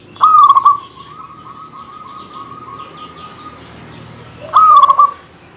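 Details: Rival-provoking song of a vocal local zebra dove: a pulsed, rolling coo phrase drawn out into a long faint steady tail, then a second stuttering trilled phrase about four seconds later.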